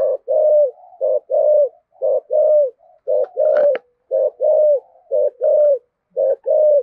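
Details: Spotted dove in the deep 'giọng thổ' voice, 'thúc gù' cooing style: low hollow coos in repeated phrases, short note then longer drawn-out falling coo, about one phrase per second, one brief click partway through.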